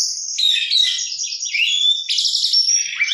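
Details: Oriental magpie-robin in gacor song: a steady, unbroken stream of high warbled whistles and fast trills, with a clear pulsed rattle near the middle.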